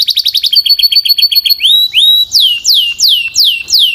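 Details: Belgian canary singing powerfully: a quick stuttering trill, two rising slurs, then loud falling whistled notes repeated about every half second.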